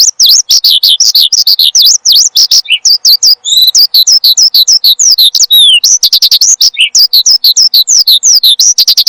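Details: A caged Horsfield's bushlark sings nonstop in gacor style for bird training and luring: quick, sharply up-and-down high whistles in tight series, occasional lower buzzy notes and long descending slurs, continuous throughout.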